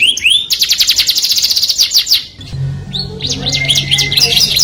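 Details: Canary singing to attract the opposite sex: rising chirps, a long rapid trill, then scattered whistles over a low steady hum.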